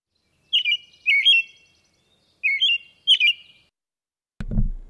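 An American Robin sings four clear, warbled, rising-and-falling phrases in pairs, like 'here I am, where are you', ending with a low thump.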